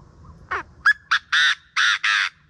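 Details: Chinese francolin calling in the morning, a recording kept as a hunting lure: loud, harsh notes in an accelerating series, six within under three seconds, the last three longer grating bursts, over a quiet low rumble.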